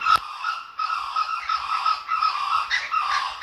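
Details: Laughing kookaburra, met while walking at Jim Jim Falls, Kakadu National Park, Australia, gives its laugh-like call: a harsh, ringing run of steady-pitched notes rising and falling in loudness without a break, no other clear sounds.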